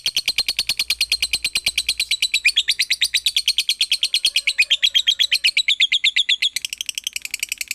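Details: Shrill lovebird chatter played to coax other lovebirds into song: dense, evenly paced high chirps that shift to a harsher, lower-pitched run near the middle, then brighten again before the end.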